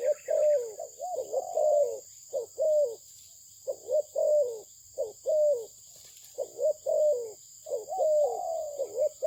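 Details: Spotted dove of a Malaysian breed, praised for its fine voice, giving low, hollow coos in short rounded notes grouped into rhythmic phrases with brief pauses between them, over a steady faint high-pitched electronic whine.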